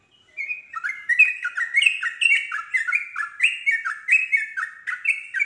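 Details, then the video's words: Yellow-vented bulbul, a stalled singer provoked into answering and joining a rapid song: a fast, continuous run of clear whistled notes, each sliding downward, repeated several times a second with no other sounds. "respon cepat untuk Trucuk bahan macet langsung terpancing nyaut ikut nropel"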